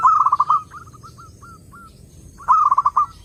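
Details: Zebra dove singing clearly, used as a lure for other doves: a rapid bubbling run of coos opens, then spaced soft single notes, then another loud stuttering burst of rolling notes.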